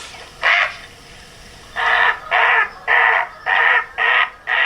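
A Great Blue Heron gives a series of six harsh, hoarse croaks, each short and evenly spaced about two per second, with faint background hiss.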